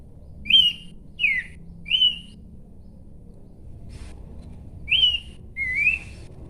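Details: Horsfield's babbler song: clear whistled notes, some rising and some falling, given in short phrases about a second apart, with a pause midway, over low background rumble.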